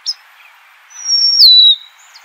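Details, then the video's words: Golden-crowned sparrow singing a single long, clear whistle that holds high and then slides down in a step to a lower, steady note, lasting under a second, with a short faint chip just before it. "Natural Birds Voice, Bird Natural Sound.Golden crowned Sparrow."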